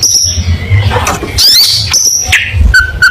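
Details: Cendet gacor snippet: a brief mix of thin high whistles, a rough buzzy burst and short piping notes from a long-tailed shrike, with a low droning hum throughout.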